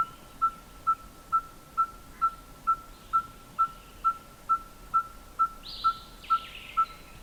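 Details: A Red-fronted Tinkerbird calls with its beak closed and throat inflating, giving a steady mid-pitched 'tink' about twice a second with metronomic, tinker's-hammer regularity that can go on for hours. Faint higher chirps from other birds come in near the end.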